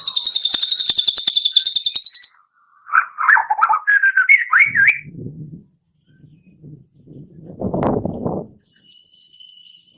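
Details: White-rumped shama giving a steady high trill for two seconds, then jumbled whistled and chattering phrases; afterwards low muffled noises and a rustling burst, with a faint thin whistle near the end.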